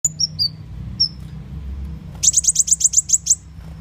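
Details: Sunbird, known locally as muncang or kolibri wulung, used as a lure call for catching birds: a few high thin whistled notes, then a quick run of about ten sharp chips in a row.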